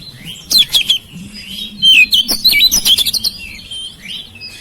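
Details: Household oriental magpie-robin singing to stimulate silent birds to sing: clear whistled notes sliding up and down, mixed with sharp clicks and short warbled phrases, in two main bursts with quieter whistles trailing off, over a low background hum.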